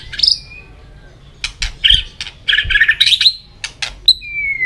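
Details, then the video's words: Caged white-rumped shama singing in contest while flicking its tail: scattered bursts of varied, buzzy and chattering phrases, sharp clicks between them, and a long, clear falling whistle to close. "chòe lửa hót đập đuôi liên tục,kích chòe lửa hót đấu căng lửa sổ nhiều giọng"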